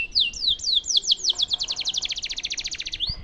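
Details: Canary song used as a model for training White-rumped shamas: a run of descending whistled sweeps slowing then speeding into a rapid rattling trill of repeated notes, ending with a short rising chirp.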